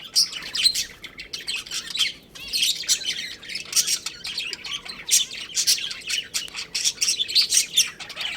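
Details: Budgerigars, a pet breeding pair, trading crisp high chirps and short twittering runs, clustered in bursts with a brief lull around two seconds.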